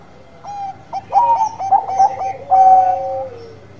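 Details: Singing Bangkok zebra dove: quick jerky cooing notes run into a long, steady, purring coo that falls away at the finish, loud and close against a low hum.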